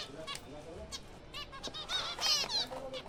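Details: Zebra finches in a kept breeding colony in April: nasal, buzzy, harmonic-rich calls tumble over one another at a quick pace, swelling into a louder cluster of overlapping notes in the second half.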